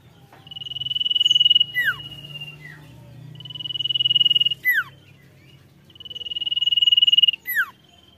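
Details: Vigorous sirtu song repeated three times, an accelerating-sounding high pulsed trill swelling, then a pair of rapid downslurred whistles, with low background hum.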